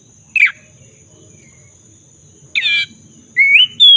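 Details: Black-throated magpie-robin, lure recording meant to get a stalled bird singing again; a sharp down-slurred note, a harsh buzzy chord, then two clear rising whistles near the end, over low background rumble and faint hum.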